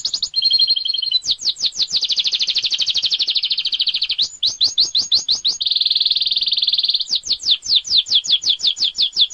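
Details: Master-recording canary song for training other birds to copy, clear and easy to follow: high two-tone whistle, then loud rapid trills and bursts of downward-sweeping notes, alternating rolled and chopped phrases, continuous with no background noise.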